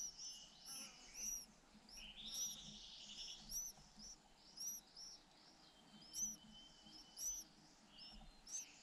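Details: White-eye brood of two hungry nestlings, with both parents taking turns feeding. Sharp, high chirps repeat roughly once a second, with a brief buzzy trill early on and faint ambient noise.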